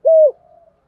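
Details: Single low, smooth coo from a spotted dove lure recording meant to call wild doves in for cooing contests, fading into a faint drawn-out tail.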